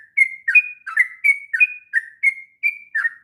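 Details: Sooty-headed bulbul in long, rapid 'ngropel' song, used as a master for training young birds: short whistled notes near the same pitch, alternating level and dipping, about two per second, with no other sounds.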